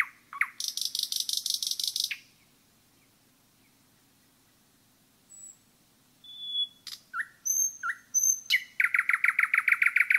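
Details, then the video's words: Forest nightingale song: a dense buzzing rattle for about two seconds, silence, then clear thin whistles and a rapid series of ringing repeated notes. "пение СОЛОВЬЯ в лесу"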